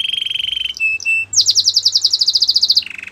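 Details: Canary singing a training song: a rapid buzzy trill, two short flat whistles, then a long series of fast repeated bright chipping notes, ending in a lower rolling trill.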